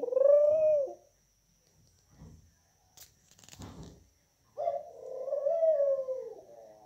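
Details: Domestic Barbary dove song: a short low coo opens, then a quiet gap with rustling and a clatter, then a longer rolling, purring coo.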